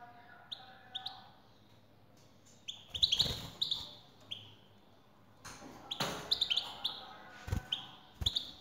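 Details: Goldfinch song used to draw a singing reply from a male responding to a female: scattered high chirps and twitters in loose clusters, interrupted by several loud broadband knocks and rustles.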